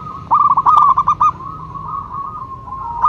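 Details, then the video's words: Single phrase from a local zebra dove (perkutut lokal): a fast run of clipped, bubbling coos ending in a held note, followed by a faint, even coo. "Perkutut lokal gacor jawara pikat dan pancingan nada suara panggilan"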